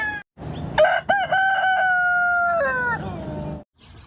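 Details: Rooster crow: a couple of brief broken opening notes, then a long steady harmonic tone lasting nearly two seconds that steps down slightly before stopping.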